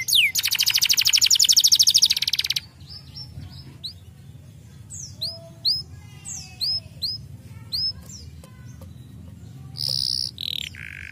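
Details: Canary singing; opens with a fast, loud buzzy trill for about two and a half seconds, then scattered high whistled downslurred notes and chips, ending with short bright rolled phrases dropping in pitch.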